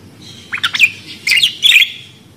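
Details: Budgerigar giving three brief scratchy chirping bursts in quick succession.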